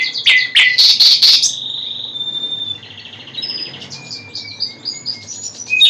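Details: Common nightingale song opening with loud, rapid clicking notes, then a drawn-out whistle and softer, varied high chirps that continue to the end.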